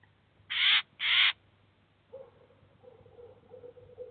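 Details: A Eurasian jay with chicks at a cheese feeder, filmed in 2019, gives two loud, harsh, rasping screeches half a second apart, followed by faint, low, broken murmuring sounds.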